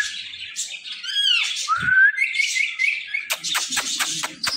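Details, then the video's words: Pet parrot producing a harmonic squawk followed by a long rising whistle, then a series of sharp clicking taps. "this Parrot talking are non stoppable"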